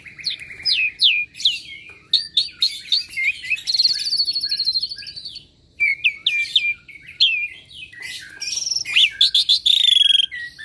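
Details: Restless Asian pied starling, a caged mimic of other birds' calls, singing continuously with bubbling whistled phrases, a buzzy rattle and rising clear whistles, pausing briefly midway.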